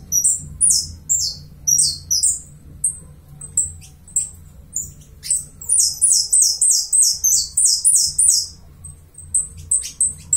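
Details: Uruguayan saffron finch giving a lively song. Quick runs of high, descending, slurred notes alternate with scattered single chirps, then a long, rapid, even series of ringing notes in the middle.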